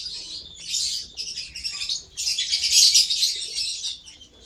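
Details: Lovebird calls as quick, piercing chirps in two bursts, the second louder and denser with sharp squeaky peaks.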